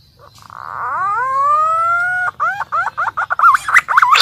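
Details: Green pigeon lure call, used to attract birds: a long rising whistled note with clear harmonics, followed by a quick series of short wavering hooted notes, about four per second.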